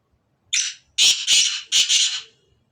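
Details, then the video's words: Harsh, grating phrase from a black francolin (Sindhi kala teetar): a single buzzy opening note, a half-second gap, then three loud rasping notes close together, coarse and strongly high-pitched, ending abruptly. "کالے تتر کی اواز کالے سندھی تتر کی اواز Kale teetar Ki Awaaz Kale Sindhi teetar Ki"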